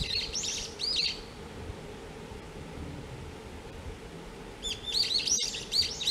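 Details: Small birds drawn to white iberis flowers in a garden chirp in quick bursts of high, bright, sliding notes, separated by a quiet pause.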